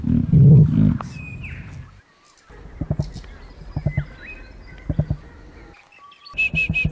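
Emu giving deep, thudding low pulses in short bursts about once a second, after a loud rumbling opening, with thin whistles of other birds and a few human voices.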